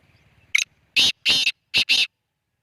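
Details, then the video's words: Black francolin, locally called kala teetar, giving a loud harsh grating call: one short rasping note, a pause, then two pairs of longer scratchy notes in quick succession, with a faint low murmur before the call. "kala teeter ki awaz"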